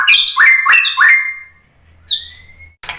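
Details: White-rumped shama lure song meant to set another bird singing: three quick upward-sweeping whistled notes, a pause, then a soft slurred whistle and a short final burst.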